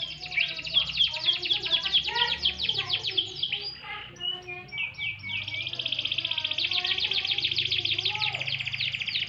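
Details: Sunbathing canary with a busy warbling song of fast mixed trills and chirps, a short pause with scattered lower notes, then a steady high buzzing trill to the end.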